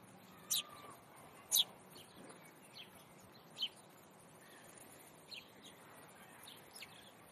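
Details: A rowdy group of house sparrows (Passer domesticus) at the Leipzig zoo window in the city gives scattered, short, bright chirps, about one every second or two, over a steady hiss of city noise.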